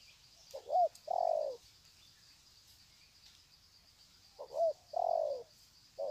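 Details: Spotted doves at Sê San, 21 February 2020, greeting each other with long 'sạc gù' coos: two phrases, each a quick wavering note and a longer falling coo, separated by quiet, with a constant high background hum.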